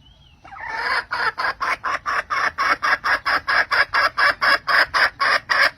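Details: Hen calling the rooster at the end of the season: a fast series of about eighteen harsh, even clucks, roughly three per second, steady and loud after a short quiet start.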